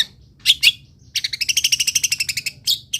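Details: Long-tailed shrike song for training other songbirds: two sharp notes, then a fast even trill of about fifteen pulsed notes, ending with more short chirps.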